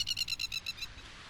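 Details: Masked lapwing calling near a beach around Adelaide, South Australia: a harsh, strident rattle of about eight rapid, high notes in under a second, fading at the end, over a faint low rumble.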